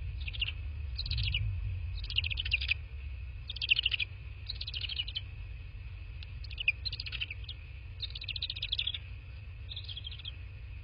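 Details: High chittering bursts from a bald eagle at a nest in southwest Florida, recorded by nest cam at 22:40 on 03/02/2024; short squeaky note clusters repeat roughly every second over constant low rumbling background hum.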